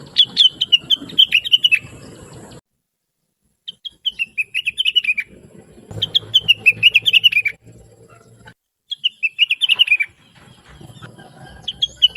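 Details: Lively, talkative blue-winged leafbird song used as a tutor for other songbirds; rapid warbled and slurred whistled phrases lasting one to two seconds, repeated after short silences, with some low hum in the background.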